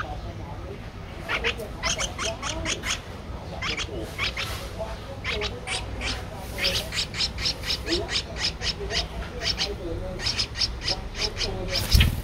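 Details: Streak-eared bulbul chick aged 13 days, Ubon Ratchathani, Thailand, 15 April 2023. Harsh, broad squeaky notes sound in fast repeated series, pausing briefly between bursts, over a low steady hum; a sharp knock near the end.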